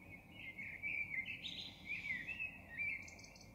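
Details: Blackbird song at 03:40, a continuous rich fluting warble that rises and dips in quick linked notes, closing with a thin, high, scratchy twitter against a faint low rumble.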